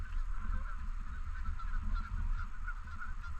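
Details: A group of Canada geese on and around a lake in a park calls with repeated nasal honks at a steady pitch, some faint and distant, over persistent deep rumbling noise.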